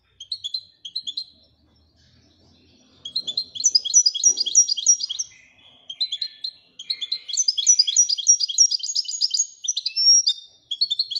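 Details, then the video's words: Moroccan goldfinch in Wedania song style: scattered twitters, then lively chattering trills and jingling runs of repeated notes rising into a dense, varied warble with short pauses. "الحسون المراكشي لغة الويدانية"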